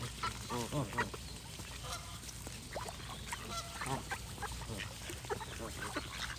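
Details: Geese call in a loose flock, a few clear honks early and softer overlapping ones later, mixed with chirping birds and a low rumbling background.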